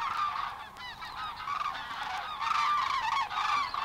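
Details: Common Cranes recorded at Matsalu, USSR, in 1979: loud ringing, trumpet-like calls from several birds overlap, with a strong burst of calling in the second half.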